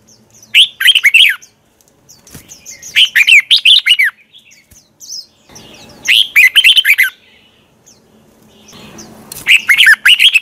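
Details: Red-whiskered bulbul singing a 'giọng xoắn' morning fighting song to provoke others to sing: four rapid bubbling warbled phrases, each about a second long, spaced two to three seconds apart, with soft chatter in the pauses.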